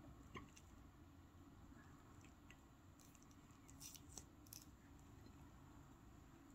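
Soft indoor room tone with sharp clicks and crunching, chewing-like noises, and no calls.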